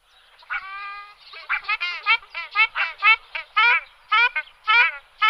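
A ruddy shelduck gives a run of loud, nasal, honking calls, about two a second, each a short goose-like bugle with a slight downward slur.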